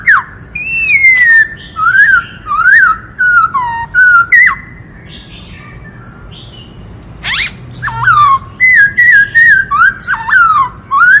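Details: Many-voiced 'kích trống' song of a wild white-cheeked laughingthrush, used to rouse males: rapid rhythmic arched whistles, a quiet stretch of several seconds, then a harsh burst and another lively run of hooked notes.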